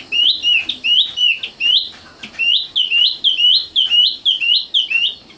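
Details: Common nightingale (Luscinia megarhynchos), known locally as sikatan londo, a small bird with a sweet voice and sharp passages: fast repeated upslurred whistles, about two per second, each a bright hooked note with short gaps between.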